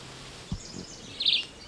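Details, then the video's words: A Red-eyed Vireo calling from up high in northeast Argentina in November 2008 gives one short, slurred, mid-high phrase with a faint higher note at the end, over a low rustle and a dull thump. "And the red eyed vireo up there, which you can hear very well."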